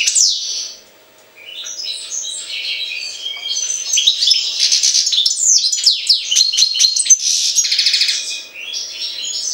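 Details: European goldfinch, linked to Jagodina, gives a high chirp, pauses briefly, then launches into prolonged lively twittering with tinkling notes, sharp downslurred chirps and a buzzy trill.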